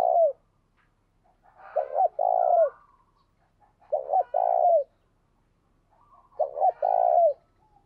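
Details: Decoy spotted dove used in training other decoy birds, giving gáy sung cooing. Three evenly spaced phrases about every two and a half seconds, each two short, hollow notes and a longer, rolling coo, in quiet surroundings.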